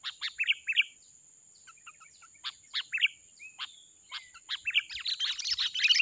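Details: Caught at a glue-trap lure, a wild sooty-headed bulbul gives short bright chirps in small groups, then a burst of dense, excited warbling.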